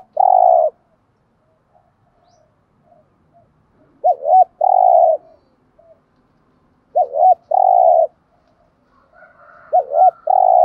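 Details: Spotted dove decoy coos to rouse other doves: a long hollow note, then three phrases each with a fast bent double note and sustained coo, about three seconds apart, faint calls between.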